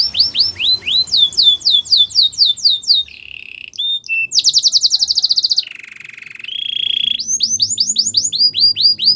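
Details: Belgian canary song for coaching young birds: rapid repeated downslurred whistles, a buzzy roll, a fast high trill, then more repeated slurred whistles.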